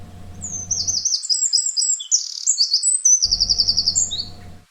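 A Eurasian Wren's loud, rapid song: high, tumbling trills and sharp notes run together for several seconds, with a low background rumble at the start and end.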